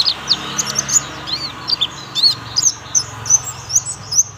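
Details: Thin, very high chirps repeated at a brisk, uneven pace make up this 'tembakan' song from a young oriental white-eye, with steady low background noise.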